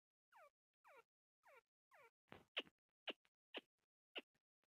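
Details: A female grey francolin calls, giving four harsh, falling, nasal notes about twice a second, then a run of sharper, piercing shrieks.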